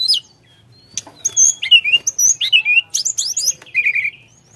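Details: A Sunda forktail sings busily, with rapid, very high chirps and downslurred whistles in quick runs, ending in a short trilled phrase.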